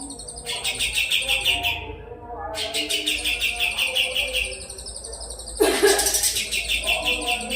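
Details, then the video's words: Kapas tembak, a songbird kept as a tutor for magpie-robins and contest birds, delivering sharp, dense rapid trills of repeated high buzzy notes in bursts separated by short pauses, with a steady low hum beneath. "Kapas Tembak Gacor"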